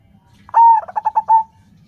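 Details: Local zebra dove (perkutut) in Indonesia, used as a lure to prompt other doves to call; a single bright phrase of about one second: a long whistled coo followed by a quick series of five rhythmic, bubbling coo notes near the same pitch, in a quiet background.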